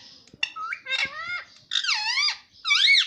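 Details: Pet ring-necked parrot talking, said to say "mummy papa": a run of squeaky, voice-like syllables that sweep up and down in pitch, with short pauses and indoor clicks.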